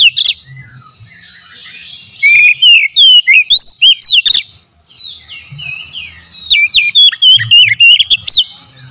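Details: Oriental magpie-robin lure song meant to stir other birds to loud, emotional singing: soft warbling, then a quick series of ringing, sweeping whistles, a brief lull, and another fast run of sharp, descending notes.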